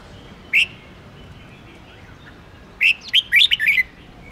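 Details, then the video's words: Red-whiskered bulbul singing to provoke contest birds: a single chirp, a pause, then a fast jumbled run of bright twittering notes. "Chào Mào Kình + Thúc + Ché Kích Chào Mào Căng Lửa"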